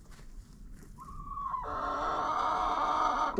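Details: Chicken in a coop, recorded with a GoPro inside: a thin rising note appears, then a sustained, nasal, steady-pitched call swells and holds for nearly two seconds over a background hiss.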